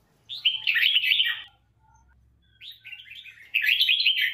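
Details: Song of a renowned red-whiskered bulbul kept for voice training: two rich, rapidly warbled phrases with a quiet gap between them, faint low background hum.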